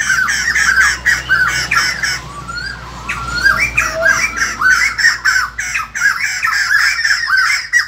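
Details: Morning song of the white-crested laughingthrush: rapid chains of bright, bending notes, briefly quieter near the middle, then building again into a dense, energetic run of overlapping phrases.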